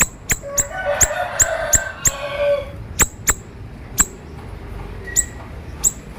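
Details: Sharp-voiced siri-siri bird, recorded to train other birds: high, thin, downward-flicked chips repeated irregularly, about one to two per second, with a soft lower murmur in the first seconds.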